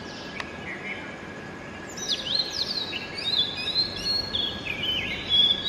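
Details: Early-morning Oriental magpie-robin song: after a quiet start, a run of quick high whistles, sweeping slurs and twittering notes, set against constant broadband environmental noise.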